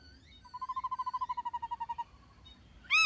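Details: Black-throated laughingthrush in wild-style song: a steady even trill of rapid repeated notes lasting about one and a half seconds, ending with one loud harsh note.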